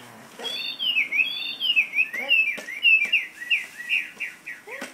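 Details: Parrot kept in a cage sings a flowing run of high whistled slurs, rising and falling in quick loops, pulsing about once per second, with a few sharp clicks between phrases.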